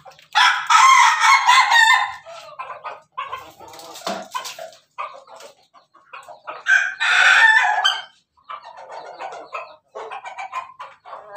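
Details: Domestic Pelung rooster, 17 May 2024, in a laughing crow: loud, rough bursts broken into quick choppy pulses, like cackling laughter, in repeated phrases with short gaps for about eleven seconds.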